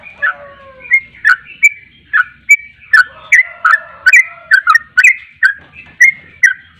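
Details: Energetic sooty-headed bulbul song of chattering, liquid whistles with downward slurs, over lower drawn-out whistled tones and a faint background murmur.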